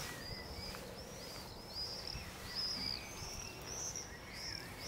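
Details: Long-eared owl (Asio otus) owlets at night: thin, high, drawn-out hissing squeaks repeated every second or so, faint over a steady background hiss.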